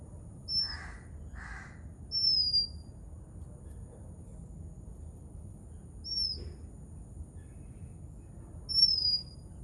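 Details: Oriental magpie-robin in Sri Lanka giving thin, high, down-slurred whistles spaced a few seconds apart, with two short harsh bursts from another bird early on and a faint steady background hiss.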